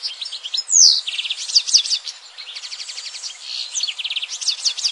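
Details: European goldfinch song: continuous high twittering made of quick chattering trills and thin, sharp notes, with tinkling phrases running for about five seconds.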